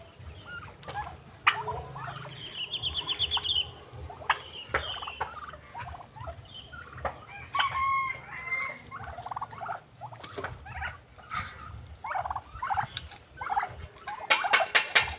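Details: Pet domestic turkeys keep up a busy run of clucks and yelps, with one fast rattling burst.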